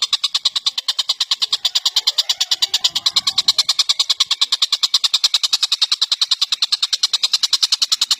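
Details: Indonesian songbird training recording of tengkek buto or cucak jenggot: an unbroken, harsh, chattering rattle of sharp ticks at a steady quick pace, with a short low thump partway through.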